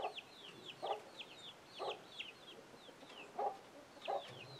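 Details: Chicken giving a warning sound to its young chicks; gruff clucks about once a second, overlapped by many high, thin chick peeps that slur downward.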